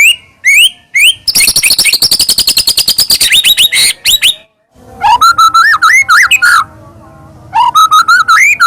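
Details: White-rumped shama song used as a provoking lure to make another shama sing, loud and varied: rising whistled notes, then a rapid run of sharp repeated chips, then fluting warbled phrases near mid pitch with brief pauses.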